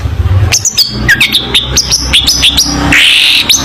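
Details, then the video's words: Long-tailed shrike singing a tutor song meant for young shrikes to learn: a rapid, varied string of sharp chirps and whistled slurs, ending in a brief buzzy, noisy phrase. "Burung Cendet Gacor full masteran cocok untuk masteran cendet muda Belajar Bunyi"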